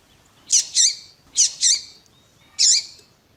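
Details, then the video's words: Double-collared Seedeater (coleiro tuí-tuí) with a female calling, used to stimulate another male's song: high, bright paired 'tui-tui' notes in three short bursts about a second apart, faint background hiss. "COLEIRO TUÍ TUÍ COM COLEIRO TUÍ TUÍ E FÊMEA DE COLEIRO CHAMANDO"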